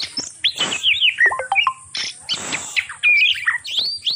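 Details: Breeding-season calls of an Oriental magpie-robin, meant to arouse other kacer into mating: varied whistled notes, sharp slides and stepped tones broken by two harsh, rasping bursts.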